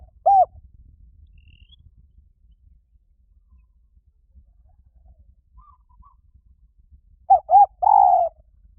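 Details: Spotted dove calling, a recording meant to draw in wild doves: a single short coo, a long silence, then two quick coos and a longer drawn-out final note.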